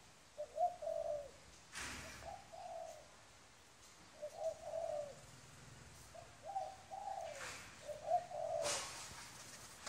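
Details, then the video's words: A wild-caught adult spotted dove gives short, soft cooing phrases of two or three muffled notes with gaps between them, while sharp clicking and knocking noises break in several times. "Cu gáy bổi"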